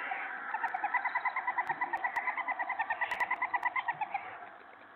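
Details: Owlets in a nest box at feeding time, in the evening, as an adult brings in a rabbit and starts feeding them: rapid, evenly paced twittering pulses repeated about three times a second for roughly four seconds, over steady background hiss.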